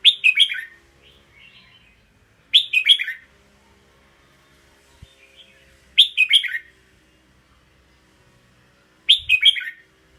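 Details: Red-whiskered bulbul repeating its short, bubbly song phrase four times, roughly every three seconds, each a sharp high note then quick descending warbles, with soft quieter notes between phrases.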